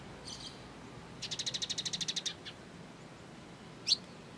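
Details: Sunbird, known locally as kolibri ninja, used as training material for songbirds: a fast run of about a dozen evenly spaced high chips in a trill, a few faint notes before it, and one sharp upswept note near the end.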